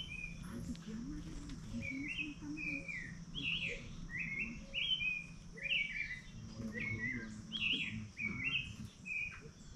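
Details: White-naped brushfinch (Atlapetes albinucha) at Colombia Birdfair 2024, giving high, thin chips and short sharp notes, about one a second, over a steady low hum and faint voices.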